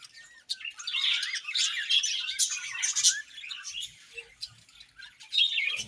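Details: Breeding-season budgerigars give a continuous high chatter of warbles, squeaks and short twittered notes from several birds, rising and falling in loudness.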